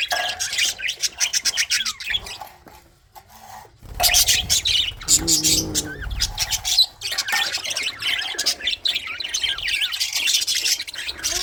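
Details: Breeding colony of budgerigars: rapid bursts of high chirps and twittering warble, a quieter gap near three seconds, then loud overlapping chatter resumes and continues to the end.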